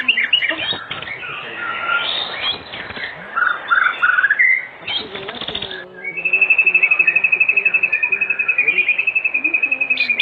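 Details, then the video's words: White-rumped shama in full song, played in the afternoon as a lure to make other shamas respond and sing; jumbled whistles and chatter, then a rapid even trill of high notes for the last four seconds. "Pancingan Sore Murai Batu Gacor di Jamin 100% RESPON buat pancingan murai batu pastol agar bunyi"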